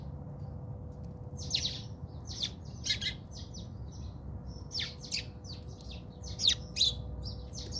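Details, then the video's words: House sparrows fighting in a backyard in South Africa: bursts of sharp, harsh chirps stacked one after another, clustered into rapid excited runs with short pauses, over a steady low hum. "Watch Interesting Sparrow fights in my Backyard~ South Africa."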